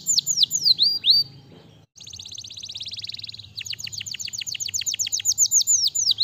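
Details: Canary singing: a few falling whistles, a short silence, a harsh buzzy trill, then a long rapid series of sharply descending notes.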